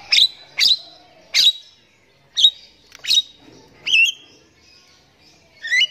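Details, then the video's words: A Javan myna in energetic morning song: hard, clicking squawks in quick succession, then looping whistled notes toward the end. "JALAK KEBO GACOR PAGI HARI"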